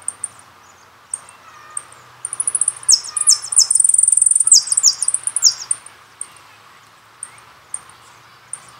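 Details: Goldfinch, from a song-competition CD, opens with scattered high chips, then breaks into a rapid, tinkling twitter of bright trills and buzzy notes before slowing back to single chips.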